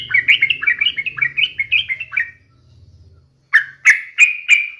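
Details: Repeated bubbly notes from a sooty-headed bulbul meant to coax other birds into song, over a low background murmur, then four loud separate sharp chirps after a short pause.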